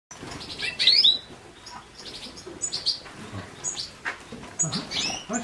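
A European goldfinch sings a quick, tinkling twitter of high, bright notes and short liquid trills, with faint room noise underneath.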